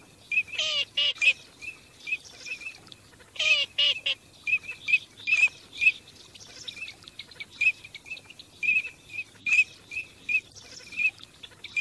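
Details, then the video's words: Teal during migration: two bursts of hoarse nasal calls stand out early, followed by a long run of short high whistles from several birds, irregularly spaced. "teal call migration song"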